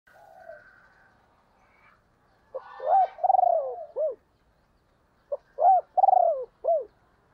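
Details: Female spotted dove used as a decoy, cooing to stir wild doves into responding. Two deep hollow cooing phrases, each a short note, a swelling double coo and a clipped final note, follow faint softer calls at the start.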